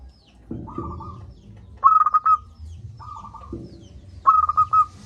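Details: Zebra dove of a local strain with a big voice, recorded as a lure for doves reluctant to call: pulsed, stuttering coo phrases alternate with softer level coos about every two seconds, with a few dull thumps and low rumble.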